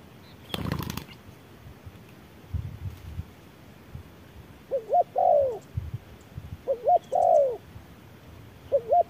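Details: Spotted dove calling in harsh midday sun, a wild bird answering and fighting a decoy bird. Three low cooing phrases of two or three quick notes, each ending in a rolling, falling coo, spaced about two seconds apart; a sharp knock near the start.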